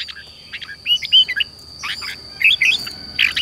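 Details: Red-whiskered bulbul song used to train and stimulate a young bird to sing: bright, bubbly whistled phrases in short bursts, with some overlapping chirps and a steady high electronic whine throughout.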